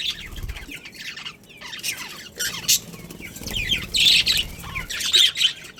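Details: A breeding pair of pet budgies and their family chatter in quick, scratchy high chirps, short squeaky notes tumbling irregularly over faint low background rumble.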